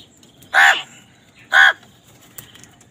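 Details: Crow calling while it and wild birds fight over food, giving two strong, hoarse caws about a second apart, each short and abrupt, with little else heard beyond faint background hiss.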